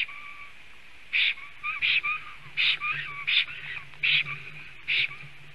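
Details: Black stork, a male defending its nest in Sigulda municipality, Latvia, on a live nest stream, 30 July 2020: short bursts of whistled notes repeat about once a second, with thin falling whistles between them over a low steady hum.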